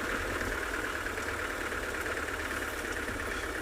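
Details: A vehicle engine idles steadily throughout at sunset, a constant rumbling drone with no animal voices.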